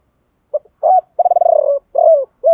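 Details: Spotted dove decoy giving a 'three-tail' calling coo in the 'thổ pha' voice, used to provoke other doves: a short note, a rising coo, a fast stuttering trill, then a drawn coo and a final clipped note, in clean silence.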